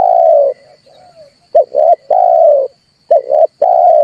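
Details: Trapping-lure recording of a red collared dove: long sustained low coos alternating with quick paired notes, a few faint murmured notes between, and a thin steady high hum throughout.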